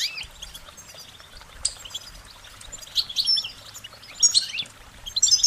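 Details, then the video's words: Goldfinch song, a cheerful run of short warbling notes: high scratchy twitters and quick chirps building into denser, louder bursts toward the end, with a faint steady background hiss. "Uplifting Chirpings Motivational Goldfinch Singing their Song"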